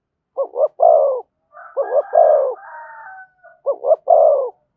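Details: Spotted dove in thổ voice, thúc and kèm styles, cooing three double-pulse-and-long-coo phrases, with a higher sustained whistled tone overlapping the middle phrase.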